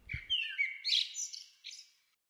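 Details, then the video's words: Male common blackbird (Turdus merula) song, often heard first in the morning and last in the evening from rooftops: one mellow, fluty warble ending in a higher squeaky twitter, about two seconds, after a brief low thump. "Die Amsel (Turdus Merula) - Steckbrief mit Gesang"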